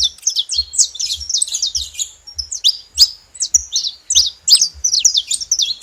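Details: Saffron finches in a free-living wild flock: many high, sharp chirps and downward-slurred notes overlapping in a busy chorus, with soft low thumps recurring roughly every half second in the background.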